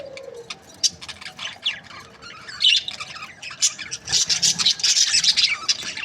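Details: Breeding pairs of budgerigar parrots chattering, starting with sparse scratchy chirps and building into a dense, loud burst of high squawking warbles over the last two seconds.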